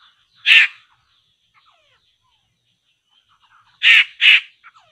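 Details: Poksay laughingthrush being lured for trapping: one loud harsh rasp, a pause with faint whistled notes, then a rapid double rasp.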